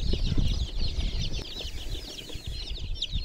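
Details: Chicks chirping in a water pool, their thin high descending peeps running continuously over loud low rumbling and splashing-like noise.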